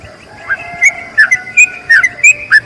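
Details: Yellow-vented bulbul in long rapid song meant for tutoring other bulbuls: a string of short whistled notes that start quietly, then come in quick pairs over a low steady background hum.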